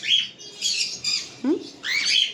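A cockatiel gives four harsh, high, raspy squawks in quick succession, with a brief lower chirp between the third and fourth.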